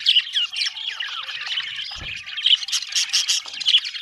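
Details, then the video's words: Budgies chirping happily: rapid twittering and chattering warbles, with louder squawky bursts toward the end and one low thud. "happy budgies chirping sound"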